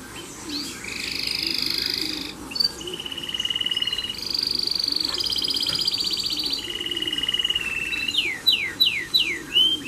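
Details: Yellow domestic canary singing at length: continuous high, rapid rolling trills held for a second or two each, shifting pitch between phrases, with one buzzy stretch, then four quick descending swept notes at the end, over faint low background rumble.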